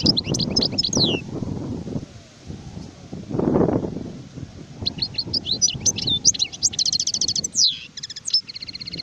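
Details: European goldfinch, adult bird, 2019 recording: a short burst of high descending chirps opens, then after a lull with low background rumble a fast tinkling phrase builds into buzzy trilled notes.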